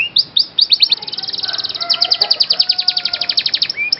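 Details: Canary song used as sound therapy to stimulate reluctant canaries to sing: rapid trills of high sweeping notes, repeated many times per second, with a few lower sustained whistles in the middle.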